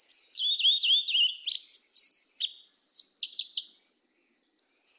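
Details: Southern forest-style 'mateiro do sul' song of a black yellow-legged thrush: a fast jumble of high, twittering and warbled notes, then sharp slurred whistles and a few spaced clicks fading into quiet.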